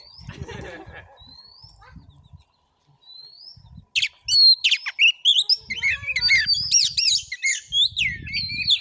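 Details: Oriental magpie-robin in a fighting vocal test in Padang Gading village, Bengkulu, Indonesia: quiet opening with a few thin whistles, then an explosive, loud rush of high warbled and chirped notes with low rumbling beneath.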